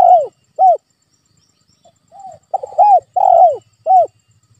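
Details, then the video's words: Spotted dove lure call, played to make a quiet captive dove answer, gives mellow, arching coos in a quick, uneven series, some run together in pairs, with a brief pause midway. "Tekukur Dirumah Malas Bunyi??? Putar Suara Pancingan Ini"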